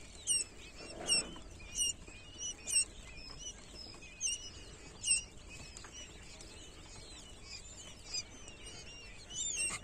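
Newly hatched quail chicks give thin, very high peeps, short and sharp, scattered irregularly from several birds over a soft background hum.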